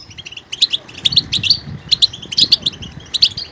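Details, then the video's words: Twittering goldfinch song with high bright notes in short clusters and a faint low rumble underneath; the phrases come in a steady, chattering series. "motivational ringtones that will take you on a journey with goldfinch"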